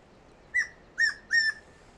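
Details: A tawny antpitta (Grallaria quitensis) calls three clear, loud whistles in quick succession, a short first note then two longer level ones, over a quiet background.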